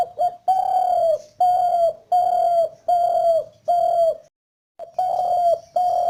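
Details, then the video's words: Spotted dove giving a steady series of low, mellow coos, about six drawn-out notes roughly one per second, a short break, then two more coos. "spotted dove calls"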